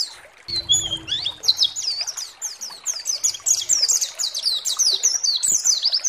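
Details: White-eye lure song for provoking other white-eyes: a low thump and a short whistle open it, then a busy, twittering stream of very high, fast notes follows.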